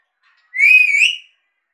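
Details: Pet Indian Alexandrine parakeet gives a single bright whistle, held level with a gentle wobble and rising slightly before fading, surrounded by silence.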